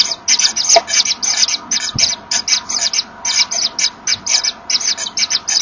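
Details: Inside a Common Kingfisher nest with chicks, the pair blow at each other, apparently to find each other's position. The sound is a steady run of airy, hissing puffs, roughly three to four per second, with little else heard.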